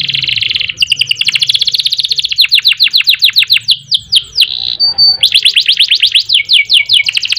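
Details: Canary (kenari) in long, energetic 'ngerol nembak' style song: a sustained buzzy high trill, then rapid runs of downward-sweeping whistled notes, a brief pure steady tone, and a fresh dense rolling trill.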